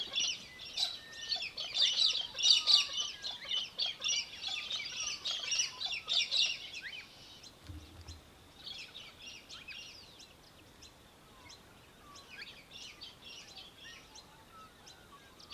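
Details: Little falcon (Australian hobby) in Victoria, Australia, December 2023: a loud, fast, scratchy chatter for about seven seconds, then fading into softer, scattered chattering phrases, with thin whistles of other birds in the background.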